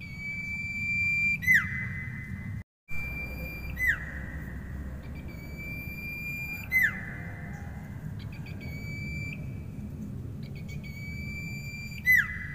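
A common iora holds a long, even whistle that ends in a quick downward slur, repeated about every three to five seconds over a low steady hum.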